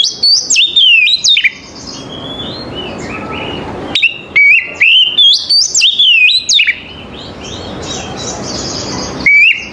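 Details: Oriental magpie-robin singing in the morning: loud whistled phrases with sharp upward sweeps and warbled notes, given in bursts separated by short pauses, over a faint background hiss.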